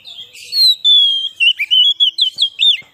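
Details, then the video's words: Lure song of a white-rumped shama for attracting wild birds: a long sustained whistle sliding down, then a fast run of short, loud, looping warbled notes. "suara burung kacer cocok buat pikat burung kacer di huta liat dan cocok buat menaikan emosi kacer"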